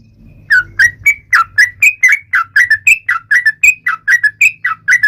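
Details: Yellow-vented bulbul in lively song meant to taunt rivals: short slurred whistled notes, each dropping and sliding, repeated about four times a second in a steady run after a brief pause, with faint low hum underneath.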